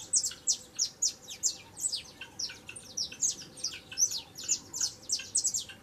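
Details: Saffron finch, young and singing a lot, pours out a steady stream of high, sharp chirps that sweep downward, rhythmic and nearly continuous through the whole stretch.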